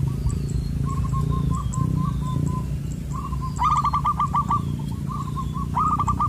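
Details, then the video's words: Wild zebra dove with a loud, far-carrying 'koong' voice, approaching a glue-stick trap. It gives rapid cooing phrases of short ringing notes, one burst sharper and stronger, with low rumbling background noise. "Suwara Koong, lantang menggema"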